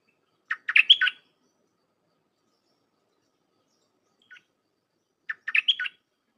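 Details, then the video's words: Red-whiskered bulbul singing Dok Taeng style, played to tutor young birds raised by hand or caught wild; a bubbly chirped phrase with a rising whistle, a faint single note, then the phrase again. "เสียงนกดอกแตงEp.129เปิดหัดลูกป้อน/ลูกเสอ เพลงแน่นๆ สับดอกล้วนๆ"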